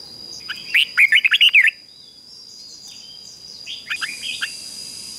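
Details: Decoy red-whiskered bulbul used to lure wild birds gives a clear burst of eight fast warbled notes, bubbling up and down, then fainter distant twitters and a hiss of noise toward the end, over a constant high tone.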